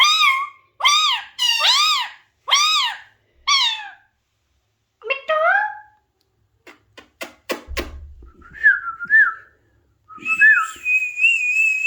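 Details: Five loud arched harmonic squawks from an Alexandrine parakeet, about a second apart, then quieter chattering notes and clicks, followed by wavering whistles and a sustained high whistled tone.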